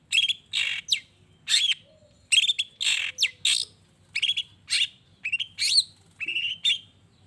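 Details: Long-tailed shrike song aimed at provoking other shrikes: a steady series of loud, harsh, scratchy phrases mixed with sharp whistled accents, repeated roughly twice a second with short gaps.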